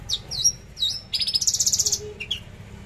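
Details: Captive Horsfield's bush lark (Mirafra javanica) singing at 10 am on 13 December 2022: high swooping whistles, then a fast buzzy trill of about a dozen notes and a few sharp chips, over a low hum.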